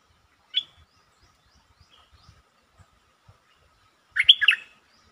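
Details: Streak-eared bulbul, lure song dated 13 February 2023: one sharp chirp, a gap with faint low ticks, then a fuller gurgling warbled phrase near the end.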